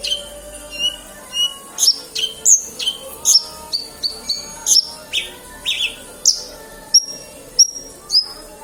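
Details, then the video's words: Actively singing Horsfield's bush lark, Kediri: a lively run of high, clipped chirps and short downslurred whistles, some doubled, coming steadily for over eight seconds with brief gaps between notes and a soft background hum. "Branjagan gacor"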